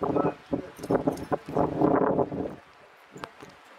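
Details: King penguin at a remote colony in Tierra del Fuego, Chilean Patagonia, giving harsh, pulsed, braying calls in rapid bursts for about two and a half seconds, then quieter colony background with a brief sharp click.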